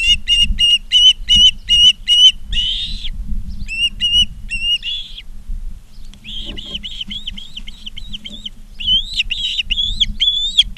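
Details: Ospreys at a nest in Charlo, Montana, on August 19, 2023, in the afternoon: rapid series of sharp, high whistled chirps, repeated in bursts, with some harsher rasping notes and a low rumble of wind behind.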